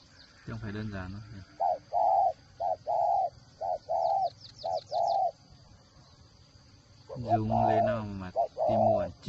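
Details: Whistle-voiced spotted dove used as a decoy bird, Ba Vì, Hanoi, Vietnam: a series of soft even coos in the middle, bracketed by a louder harsh harmonic sound at the start and end, with faint high chirps.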